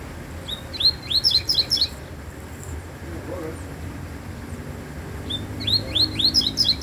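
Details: Double-collared seedeater with an unusual song delivers two bursts of quick high slurred chirps, one at the start and one near the end, separated by a quiet gap with low background noise.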